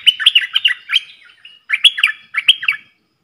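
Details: Decoy bulbul in a cage, singing against wild birds, dated 03/10/2564 in the Thai calendar. Three quick bursts of lively, slurred whistled notes, each phrase swooping up and down, then silence.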